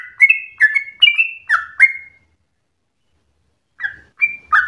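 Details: Sooty-headed bulbul, fast and fierce singing used to prompt other birds to sing and as a song tutor: five quick two-toned chirps, each a bright note with a lower slur, then a pause and three more chirps.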